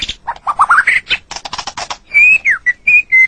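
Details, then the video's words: White-rumped shama (murai batu) master song for training songbirds: a quick series of climbing whistled notes, a burst of dry rattling chatter, then several loud, clear, flat whistles with one down-slurred note between them. "Ocehan Suara Burung Murai Batu"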